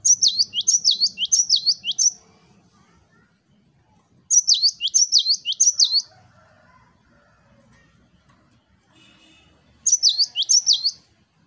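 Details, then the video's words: Cinereous tit singing 'wucit wucit' tutor song. Three bursts of four or five sharp, high whistled notes that slur down and up, separated by pauses of about two seconds with faint background chatter. "GELATIK BATU Wucit wucit Gacor"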